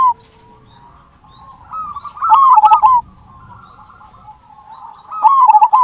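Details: Zebra dove, local bird, singing a big "kung" lure call meant to spur other doves to sing: two loud, wavering cooed phrases with soft trilled notes between them, over a faint low background hum.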